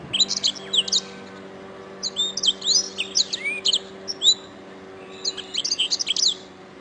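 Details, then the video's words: Canary in a training recording meant to teach other songbirds: bursts of quick, high, twittering trills in three phrases separated by short pauses, over a faint steady low hum. "Masteran Suara Kenari"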